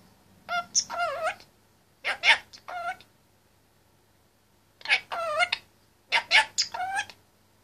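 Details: In his cage, a talkative male Indian ringneck parakeet of 25 months repeats speech-like phrases in four bursts of quick wavering syllables, separated by short pauses, over a faint low hum.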